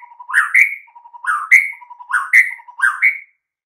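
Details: White-rumped shama master song for coaxing mute shamas to sing: a repeated phrase given four times, each a low soft trill rising into a loud slurred whistle.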